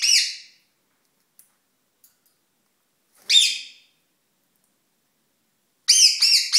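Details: Male rose-ringed parakeet courting, a pet ringneck: loud harsh screeching calls in three separate bursts, the last a quick double squawk, separated by silence.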